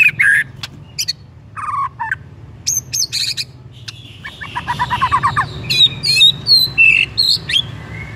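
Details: White-rumped shama song used to provoke another shama into singing: sharp chips and buzzy bursts, a rapid stuttering trill, then high varied whistled phrases over a low background hum.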